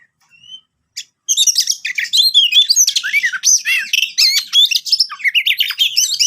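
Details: Oriental magpie-robin in vigorous 'gacor' song, a lure recording meant to prompt reluctant magpie-robins to sing: a soft whistle, then from about one second a dense, fast stream of varied chirps, squeaks and rising whistled slurs, high-pitched and almost unbroken.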